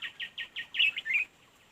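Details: Red-whiskered bulbul during fight-trapping: four evenly spaced chirps, then a louder slurred, warbled pair of notes, then quiet.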